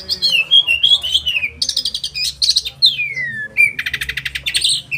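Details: Oriental magpie-robin in the 'roll tembakan' song style, a sharp song meant to stimulate other caged magpie-robins: sliding whistles, then bursts of rapid, buzzy repeated notes and a long descending whistle, in a small room.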